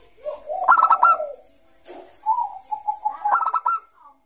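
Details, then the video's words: Zebra dove (perkutut, Bangkok type) singing busily in the ngayer manner, played to lure young doves: a rapid staccato cooing phrase, a pause, then a smoother coo running into another quick series of clipped notes. "Suara Burung Perkutut Bangkok Gacor Kutut bangkok Gacor Ngayer ini cocok Untuk Pancingan Kutut MUDA"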